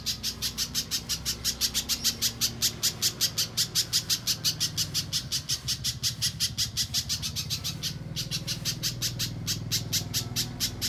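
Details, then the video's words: Spiderhunter (pijantung pisang) singing mbeset style for contest training: rapid bright chips repeated several times a second in a long unbroken run, dipping briefly softer midway, over a low background rumble. "Top Masteran Burung Pijantung Pisang Mbeset Suara Jernih Yang Disukai Juri Lomba"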